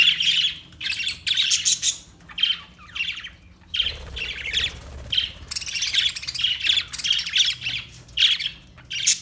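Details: Parakeet chirping: bursts of harsh, buzzy squawks and scratchy chirps, steady and busy throughout with brief pauses, one near the four-second mark, over a faint low hum.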